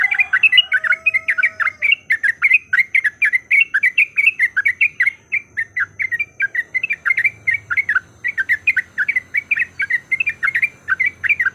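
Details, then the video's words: Lure song of a yellow-vented bulbul, used to provoke a bird to sing along and fight: a continuous stream of rapid, bubbly, slurred chirps without pause, with a faint low hum beneath. "PANCINGAN BIKIN TRUCUKAN LANGSUNG BUNYI IKUT TARUNG GACOR"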